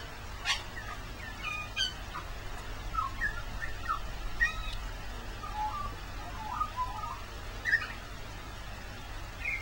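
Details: In the rain on Christmas Day a magpie gives scattered warbled notes and brief whistled phrases separated by gaps, with sharp drip-like clicks and a constant wet hiss behind.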